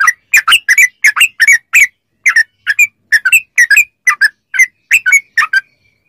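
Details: Song of a yellow-vented bulbul, used to train caged birds into answering: a steady string of short, liquid, slightly whistled notes in pairs and triplets.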